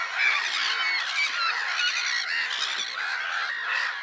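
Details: A chorus of black-headed gulls recorded 10 April 2011 at Lake Sarymsak in Kazakhstan's Pavlodar region: continuous grating, downward-bending cries from numerous birds blend into an unbroken wall of noise.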